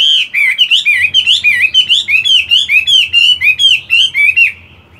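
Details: Chinese hwamei in a cage doing morning voice practice though moulting, a dense, loud string of twisting whistled notes, some fourteen in four seconds, over a faint low hum, ending abruptly.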